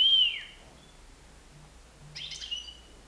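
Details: European goldfinch, nine months old, loose indoors in a living room, uttering a clear descending whistled note followed by a rough, buzzy twitter, in a quiet room.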